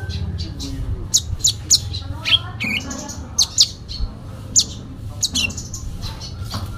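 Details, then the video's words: Energetic fighting song from a sooty-headed bulbul full of imitations: loud bright chirps in clusters, a short lower whistled phrase near the middle, then more scattered high notes over faint background hum. "Konin Dacok full isian tarung"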